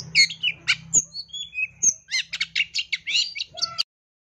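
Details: Long-tailed shrike song full of fill-ins: whistled slides and piercing high notes give way to fast, buzzy chattering bursts, ending abruptly, with a low hum beneath.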